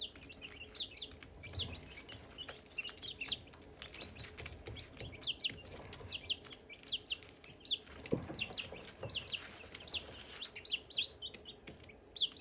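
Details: Silkie chicks and hatching eggs, a long run of loud, high, downward-sliding peeps from many chicks, almost nonstop, with occasional taps and rustles underneath.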